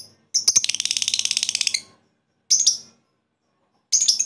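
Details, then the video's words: Lovebird giving koek calls to a rival, backed by strong ngekek chatter meant to raise other lovebirds' excitement; harsh, high, rapidly pulsed chattering burst of about one and a half seconds, followed by two shorter scratchy bursts. "Lovebird koek memanggil lawan di iringi ngekek mantap untuk menaikkan emosi lobet lain"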